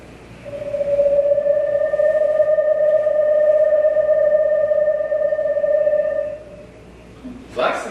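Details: Eastern Screech-Owl monotone trill, the call mates use to call each other and parents use to call their young: a long, even, low trill on one pitch for about six seconds, then a brief noisy burst.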